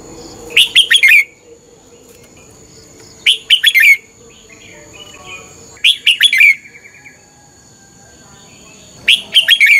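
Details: Red-whiskered bulbul fighting song for morning training, four bright warbled phrases of rapid whistled syllables, spaced about three seconds apart with quiet gaps and a faint steady tone in the background.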